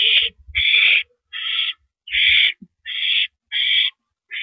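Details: Evening nest scene, April 9, 2012, 8:45 PM: a male barn owl delivers a rodent. Seven loud, noisy screeching hisses come nearly back to back, each about half a second long, with some low bumping underneath.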